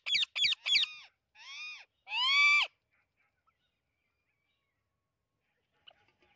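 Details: Amazon parrot screams: three short harsh squawks, then a drawn-out nasal call and a long, loud, rising-then-falling wail, followed by near silence.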